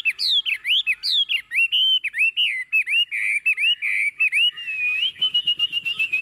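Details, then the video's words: Hand-raised Chinese hwamei singing with confidence while placed on a table, pouring out loud, clear whistled phrases that swoop up and down, followed by a fast series of repeated slurred notes and a final sustained trill. "Họa mi thuần xách tay đặt bàn tự tin hót"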